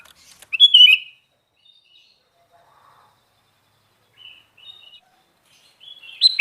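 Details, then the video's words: Sooty-headed bulbul, called kutilang garuda, singing: a loud burst of clear, slurred whistled notes, then long quiet gaps with a few faint short phrases, and a sharp loud note at the end. "Burung Kutilang Garuda Gacor"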